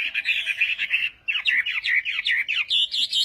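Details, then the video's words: Morning training song of a Chinese hwamei, a fast stream of rich warbled notes, slurred and bouncing up and down, about two per second, continuing almost without pause apart from one brief gap. "hoạ mi hót sáng luyện giọng"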